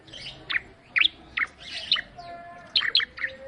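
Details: Bar-winged prinia, known locally as ciblek, singing in sharp chirped bursts about every half second, each note sweeping down from high to mid pitch, with a faint steady tone in the background.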